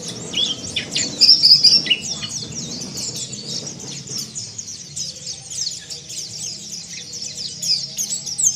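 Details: Rough twittering song, called ngeriwik kasar, of the warbling white-eye (pleci), played to provoke caged birds into singing. Fast, high, scratchy chirps tumble in an irregular stream, louder around the one-second mark, over a soft low hum.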